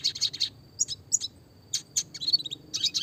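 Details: Red siskin in classic clear song, meant as training material for small songbirds with roll tembak variations: rapid clusters of high sharp chirps separated by short pauses, each burst two to five notes, over a quiet low rumble.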